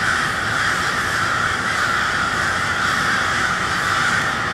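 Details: Many crows clamoring at cold twilight in Westport, Kansas City, a steady, dense tangle of grating caws running without break from start to finish.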